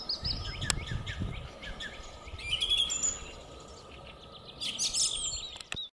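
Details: Song thrush in spring 2022 giving loud, varied, whistled and chirpy phrases, high-pitched and separated by short pauses, over a steady low hum and a brief rumble at the start.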